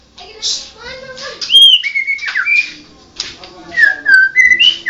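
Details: Mixed phrases from a Medan 'blorok' white-rumped shama: clear steady whistles and short downslurs interspersed with dry, scratchy bursts, in a stop-start rhythm.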